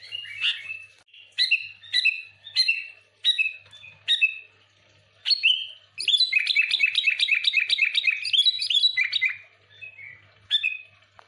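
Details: Sooty-headed bulbul singing energetically as a lure: a run of short, evenly spaced whistled phrases about every half second, then a long rapid chattering stream of bubbly notes lasting several seconds, ending with a few softer phrases.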